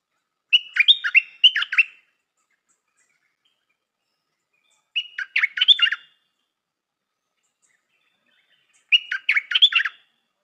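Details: Stripe-throated bulbul kept as a decoy for luring repeats its chattering, warbled phrase three times, roughly every four seconds, each burst about a second long with silent gaps between.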